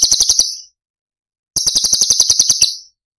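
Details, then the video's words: Cucak cungkok masteran: a brief sharp buzzy trill, a quiet pause, then a longer high rattling phrase of quick pulses ending with a slight drop in pitch. "Cucak Cungkok Istimewa ~ Tembakan Istimewa Cililin"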